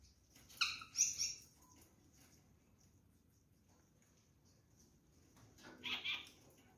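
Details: Harsh grating parakeet calls from a caged rose-ringed parakeet pair being fed fruit, a short burst early and another after a quiet spell, with light background hiss.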